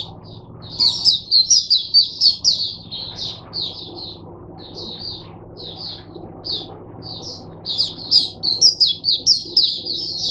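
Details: Captive Oriental white-eye singing as a teacher bird for other white-eyes on 22 January 2022, a rapid, high twittering stream of thin, tinkling notes in bursts, about two per second, over a faint low hum.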